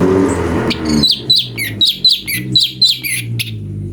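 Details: Brown-breasted bulbul (cucak cungko) song variation used as master material for magpie-robins: after a loud, noisy opening, a run of short, bright chirps and squeaky notes, some swooping down, over a steady low hum.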